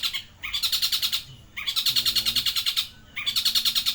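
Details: Long-tailed shrike singing, imitating a tengkek buto; bursts of rapid, rattling, high notes, each burst about a second long and repeated after brief pauses, with faint lower warbling between them.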